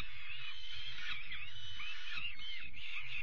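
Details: Young peregrine falcons at their evening meal on 5 May 2021 give a continuous hoarse, quavering screech with small up-and-down inflections; low thumping and rumbling underneath.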